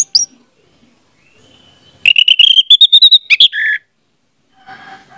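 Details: Orange-headed thrush song played as a lure to make a silent bird sing: a quick run of clipped whistled notes near mid-pitch rising slightly, then a sharp downslurred note and a held lower whistle, with brief quieter sounds after.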